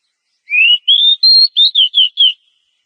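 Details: Oriental magpie-robin, described as a breeding-condition female calling to the male, played to get caged birds singing; three rising whistles climbing in pitch followed by four brisk falling notes, clean background.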